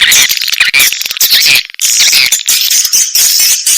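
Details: Dense swiftlet chatter from an Indonesian 'sp kompak' sound for swiftlet farmers: overlapping, harsh, high twitters and squeaky trills, loud and continuous, with one brief lull midway.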